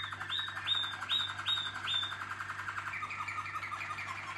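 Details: Caged Waterslager canary from a contest team sings a run of five rising whistled notes, evenly spaced, then drops into a lower rippling, bubbling trill; constant faint hum in the room.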